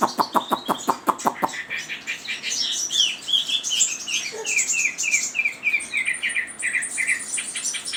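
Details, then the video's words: Chinese hwamei: a series of loud clicks or taps, then a rich, rapid song of repeated whistled notes and trills at a fairly high pitch. "Suara Burung Wambi ( Hwamei )"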